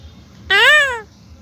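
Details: A talking parrot gives one clear, rising-then-falling nasal syllable, like a drawn-out vowel, while saying its name indoors.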